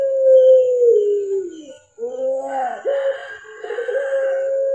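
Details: Kept Barbary dove with a black collar from an Indonesian bird collection in pelung style. A long, low, level coo slowly sags and fades, then after a short gap resumes with wavering, rougher notes before settling into a sustained tone.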